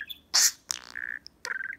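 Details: Pet male budgerigar imitating the voices of a man and a woman while chattering at reflective fingernails. A sharp bright burst comes first, then a steady whistled tone and a warbling, buzzy phrase. A man speaks nearby.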